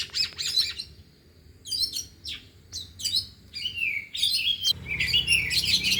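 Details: Oriental magpie-robins, four birds trained in the afternoon and all singing their repertoire: short clusters of high chips and buzzy notes with pauses, then a fuller run of whistled phrases over a faint low hum.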